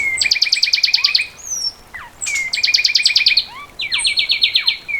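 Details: Fulvous wren song: bursts of rapid repeated double-toned notes, about eight per second, alternating with slurred whistles, the trills changing pitch between phrases.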